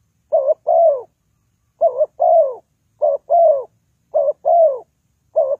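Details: Used to lure birds into a trap, a spotted dove repeats its gentle coo: a quick doubled note and a longer sliding-down tone, with phrases separated by short silences.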